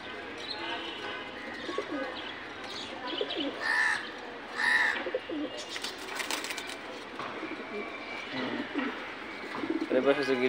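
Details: Loft pigeons coo in low, soft, rolling phrases amid sharper chirps and a busy background.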